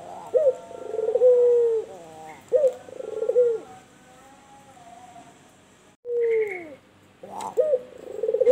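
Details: White albino turtle dove cooing steadily: soft, low, rounded coos in repeated phrases, each opening with a short rising note and trailing into a longer mellow hum. A faint steady high hiss sits behind it.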